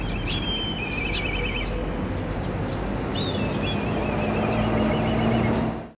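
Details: Two high, whistled black kite calls, each a clear note sliding into a rapid quavering trill, from a parent kite being mobbed by crows overhead near a nest with near-fledging chicks, Hiroshima Castle, 8 June 2016; low rumble of wind or distant traffic.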